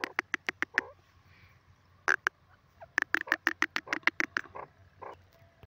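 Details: Grey francolin calling in the jungle: loud, harsh, clipped notes delivered in rapid runs of several beats, pausing, then resuming in a longer accelerating series, with a faint low background hum.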